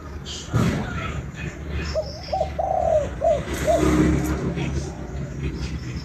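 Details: Spotted dove from Vietnam giving one mellow cooing phrase of short notes and a drawn-out falling coo, with clicks, knocks and handling noises nearby.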